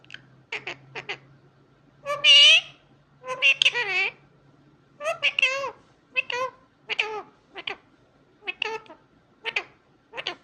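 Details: Pet Indian ringneck parakeet talking: speech-like syllables and rising and falling squawks in short bursts across ten seconds, one loud harsh call near the start, with a low background hum.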